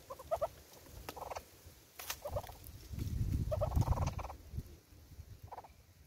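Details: Southern red-billed hornbill at a bird feeder in South Africa, giving short bursts of rapid, nasal clucking notes, some doubled, that recur every second or so, with low rumbling background noise between bursts.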